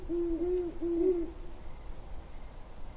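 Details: Great horned owls hooting on 17 January 2022: a quick run of four deep, soft, even hoots in about a second and a half, then quiet with only a faint low rumble.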